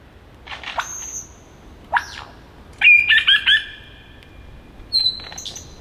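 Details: Male Superb Lyrebird singing from a log in the Dandenong Ranges, Melbourne, Australia, mimicking other birds: a squawk, a steep rising whistle, a cluster of quick looping whistles, then thin high sustained tones.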